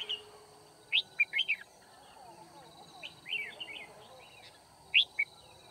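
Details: Red-whiskered bulbul decoy singing during a trapping session at Kim Bôi on 9 February 2019. It gives short, bright warbled phrases of rapid up-and-down notes in three bursts. A steady high insect-like whine runs throughout, and a man speaks briefly at the start.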